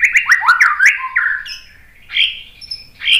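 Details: White-rumped shama singing to goad other birds into answering: quick run of rising whistled notes, a lower slurred whistle, then softer scattered chirps after a pause.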